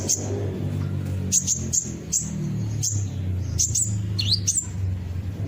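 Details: Kolibri ninja sunbird song used as a lure to prompt other birds to sing along: scattered high, sharp chirps and quick V-shaped swooping notes over a low rumbling background hum.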